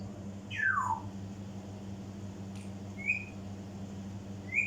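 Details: Indoor African grey parrot mimicry: a clear whistle gliding steeply downward, followed by two brief high whistle notes spaced well apart, with a constant low hum underneath.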